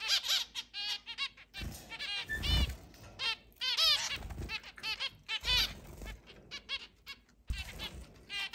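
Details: Eight captive zebra finches, kept in a large cage and let out to fly around the house, recorded 10 July 2022: a busy chorus of nasal, honking beeps in rapid overlapping bursts, with low thumps and wing flutters between them.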